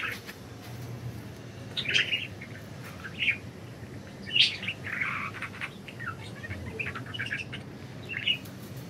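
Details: Several budgerigars flying free and chirping: scattered short mid-high chirps and warbles over a steady low hum and background noise.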